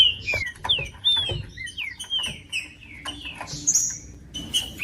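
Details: Green-winged saltator song played to warm up a cold bird kept for song tournaments; a few slurred falling whistles early, then sparser higher notes among clicks and low background noise.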